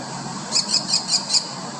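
An American kestrel gives a rapid series of five shrill, high klee notes, about five per second, over a steady background hiss.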